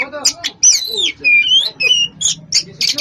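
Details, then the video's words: Full-fill song of an Oriental magpie-robin (koci) singing hard: quick run of swooping whistled notes and scratchy chips, several clear downward-sliding whistles in the middle, with a faint low hum underneath. "Burung koci gacor full isian"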